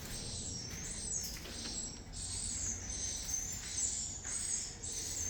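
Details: Swiftlets calling, a run of high, thin chirps near the top of the range repeating steadily over a low background hum.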